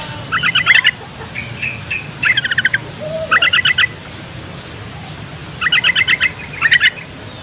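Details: Yellow-vented bulbul song, used to lure young, quiet or flock-kept bulbuls into answering: five bursts of rapid, bubbly chattering notes, each lasting about half a second, separated by pauses, over faint steady background hiss.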